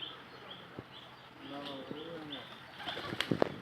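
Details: Desi pigeon with a short run of low, wavering coos in the middle, while a small bird chirps high and steadily throughout and wing flaps and clatter close the recording.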